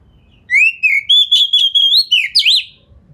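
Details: Kacer (Oriental magpie-robin) in full, fast song with tail spread, meant to make other magpie-robins respond; a rising whistle opens a string of about eight quick, evenly pulsed clear notes ending in a twisting flourish.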